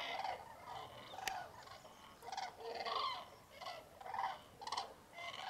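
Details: Common cranes at a large mid-January roost in Spain's Tablas de Daimiel National Park at a cold, foggy daybreak. Loud, rolling trumpeted calls come in bursts about every half second to second, over a softer background of the distant flock.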